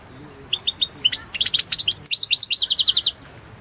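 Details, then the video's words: European goldfinch in a 2016 world championship song competition recording, pouring out a fast, liquid twittering phrase of rapid high notes that rises and falls, ending in an even run of repeated chirps. "Pesma štiglića 008/ 2016 Aleksandar Denčić World championship in Goldfinch Song 2016"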